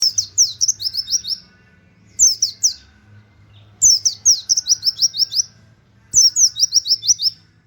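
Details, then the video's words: Indonesian white-eye singing in a fast canary-like "nembak" style with "wit wit" notes, used as a model for training cage birds: four bursts of rapid, high, sharply falling chirps, each burst about a second long, over a faint low hum. "pleci nembak wit wit kenari cocok buat masteran"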